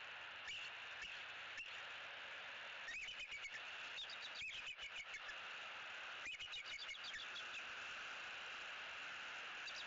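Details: Pair of bald eagles calling repeatedly in their nest tree in Southwest Florida, early morning of 18 October 2018, while a sub-adult visitor perches nearby before being chased off; thin high chittering notes in short scattered bursts over steady hiss.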